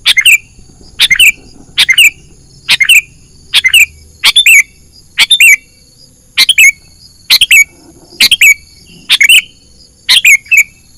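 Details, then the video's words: Lure call of a sooty-headed bulbul for catching birds in the wild, a clipped three-note phrase with a descending whistled tail, repeated steadily about once per second across the recording over a constant high hiss. "suara pikat burung kutilang gacor"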